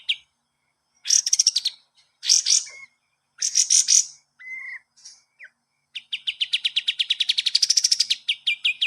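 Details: Kapas tembak master song for cage-bird training: harsh buzzy chattering bursts alternate with short level whistles and a quick upslurred note, ending in a long accelerating series of bright chips that builds into a rattle.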